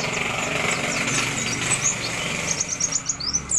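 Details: Several wild-caught fighter white-eyes kept ready for a singing contest give thin, very high chirps and short rising whistles, scattered at first, then quickening into a rapid run of notes near the end over steady broadband hiss.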